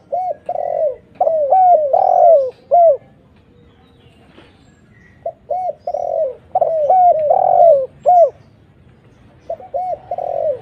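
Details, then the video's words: Spotted dove lure recording, a lively clear-voiced bird used to attract other doves: two bouts of hollow, rounded coos in quick series, a silent pause of about two seconds between them, then a third bout starting. "suara PANCINGAN TEKUKUR GACOR"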